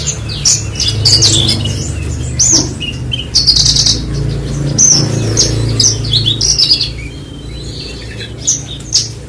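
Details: Long burst of bush lark (branjangan) song: bright high twitters, buzzy notes and short trills with brief pauses, over a constant low rumble.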